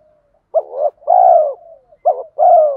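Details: Spotted dove male and female cooing to stimulate training birds: two close phrases, each a short hiccuping note followed by a long, deep, slightly falling coo.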